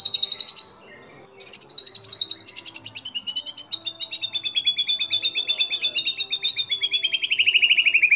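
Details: White-rumped shama, a lure recording to make other shamas sing, giving a long run of fast repeated high trills, about four notes a second, sliding slowly downward near the end after a brief pause.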